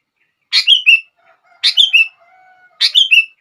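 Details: A sooty-headed bulbul sings to prompt other bulbuls to join in. Three short, rich phrases, each three quick descending whistled notes, come roughly every 1.1 seconds. Faint low thin tones sound between them.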